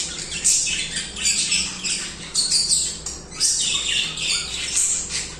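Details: Budgies chirping and singing nonstop, overlapping gritty warbles, clicks and short squawks rising and falling in loudness.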